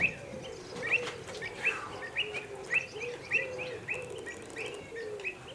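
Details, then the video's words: Agitated pied avocets at WWT Slimbridge, alarmed for their young as common cranes appear beside the lake, give sharp ringing 'kluit' notes about twice a second, several overlapping, over lower murmuring calls. "Agitated Avocets"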